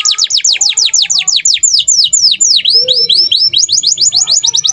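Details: Indonesian gacor canary singing a rapid, even run of high downslurred whistles, about five per second, shifting into V-shaped and rising notes without pause.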